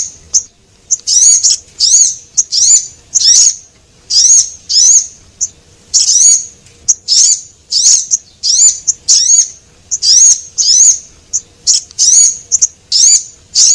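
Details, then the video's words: Javan munia, female and male, giving a lure call to attract small birds: long, steady run of high, thin, squeaky notes, each slightly rising then dipping, repeated roughly twice a second, quiet background. "Suara Pikat Sogon Paling Ampuh"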